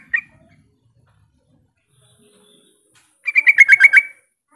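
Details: Yellow-vented bulbul calling out to rivals to draw other bulbuls into answering: one brief chirp, a long quiet gap, then a quick bubbling burst of about eight bright notes near the end.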